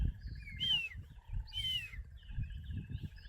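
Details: A pearl-spotted owlet calling unseen from up in the bush on a windy safari morning gives two loud, slurred whistles that rise then fall, over a fainter run of quick, even notes, with strong wind rumbling underneath.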